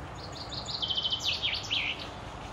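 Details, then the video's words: Common chaffinch singing in May 2016 at the Akulovsky waterworks in Korolyov: a rattling series of quick descending notes accelerating into a run and ending in a flourish, quiet against faint background noise. "Поёт зяблик."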